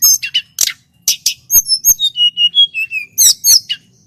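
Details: Local male Sunda whistling thrush from Merapi singing loudly and clearly: sharp high chips, then a run of pure whistled notes stepping downward, ending in bright repeated chirps; quiet background.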